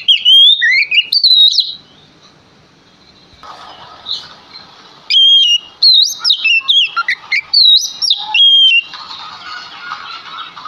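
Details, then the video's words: Lure song of a male Oriental magpie-robin meant to draw answers from other birds: clear whistled phrases, a lull with soft background noise, then a long series of sharp, varied whistles and chips. "Sekali Dengar Kacer Langsung Nyaut Dengan Pancingan Kacer Gacor Ini"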